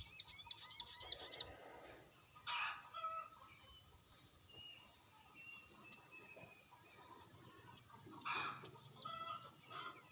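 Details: Calls of a crested jay used as a lure: an opening string of rapid, high repeated notes, a gap, then a run of short, sharp downslurred chirps near the end, with a thin continuous high whine throughout.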